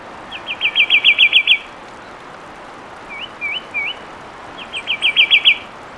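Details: Fulvous wren song, a fluid series of whistles and trills: a quick, bright run of about ten high notes, then three rising slurred whistles, then the fast run again, against an otherwise quiet background.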